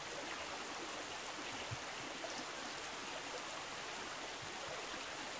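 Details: A flowing stream rushes steadily with a constant broadband hiss, and no bird or other animal voices.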